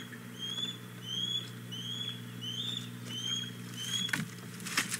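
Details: An osprey pair at a nest at the Hog Island Boathouse on 4 May 2017. The male has arrived with a fish and the female begs for it with a clear run of six upslurred whistles, roughly every 0.6 seconds, ending in scraping noises.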